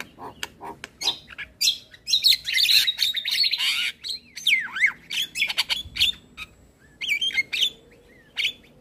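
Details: Full varied song of a male Javan myna played for young birds, with dense harsh chatter, twisting whistled notes that dip and rise, and short clicking bursts spread across the recording.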